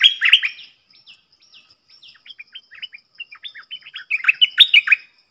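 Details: Streaked bulbul, a wild forest bird, with the whole family present and a likely male giving tonal notes, used as a lure call. Loud harsh chirping bursts open and close, with a rapid run of short, sharp chattering notes between them.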